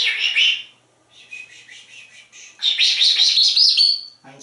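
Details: Indoor pet African grey parrot in Texas imitating bird sounds: two loud high chirps, softer chattering twitters, then a dense burst of shrill rapid chirping before a brief low voice at the end.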